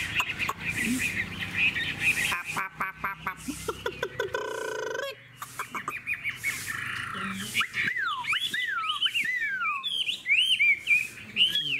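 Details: A caged hwamei with a fanned tail and a good voice sings a varied mix. Chattering and rattling notes and a buzzy burst give way to loud, sweeping slurred whistles that rise and fall repeatedly.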